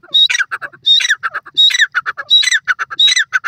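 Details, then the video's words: White francolin (Iranian teetar) of Iran, giving a loud, harsh call phrase: a high squealing note, then a quick run of clipped, rattling notes. The phrase is repeated about every 0.7 seconds, close and clear, with no other sounds. "irani teetar voice, white francolin voice"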